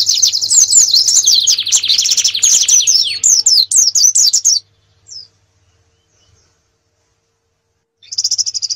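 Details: Canary master song for competition training: fast rolling trill with whistled sweeps that drops lower, then choppy notes, about four seconds of silence, and the trill resumes at the end.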